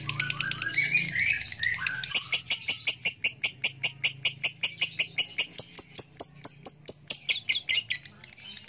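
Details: A lovebird bred for long-duration song, reportedly performing over 5 minutes nonstop in contests, delivers a long, unbroken run of sharp, high chirps repeated several times a second.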